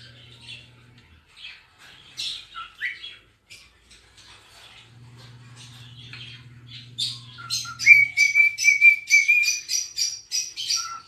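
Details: Pica, a pet cockatiel, sings while dancing and rubbing its tail: scattered chirps and squeaks, then a long steady whistle over rapid repeated chatter, with a low electrical hum underneath.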